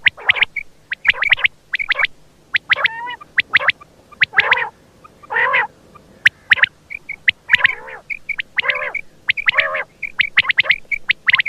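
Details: Quail calling, with sharp, high chirps repeated in quick bursts, mixed with lower, rough, harmonic-rich squawks every second or so. The background is otherwise quiet.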